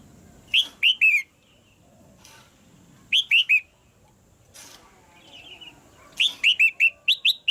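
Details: A caged female red-whiskered bulbul calls to excite a male into louder song, giving repeated bursts of three to five sharp, slurred whistles separated by pauses of about two seconds. Soft knocking is heard between phrases.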